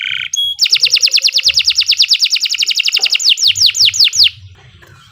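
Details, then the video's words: Kenari Nusantara canary singing a long song used to train other birds: a very rapid, even trill of sharp repeated notes for over two seconds, slowing into five loud descending whistles, then quiet. "Kicau Burung Kenari 103 II GACOR PANJANG Cocok untuk Masteran"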